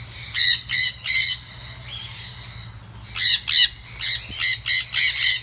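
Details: Sun conures on a bird farm in Siem Reap, Cambodia, give harsh, high, grating squawks in quick bursts.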